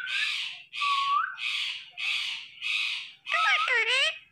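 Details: Indian ringneck parrot talking in five evenly spaced, gravelly, breathy syllables, each about half a second long. A final burst bends into squeaky rising and falling tones.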